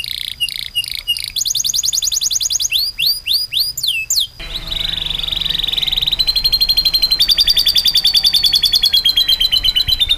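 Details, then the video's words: Canary in full, long-breathed song with sharp bursts, used as a tutor for fighter birds: quick changing tours of high clipped chips, rapid trills and looping swept whistles, then a long steady rolling trill. "Kenari gacor nafas panjang isian tembakan"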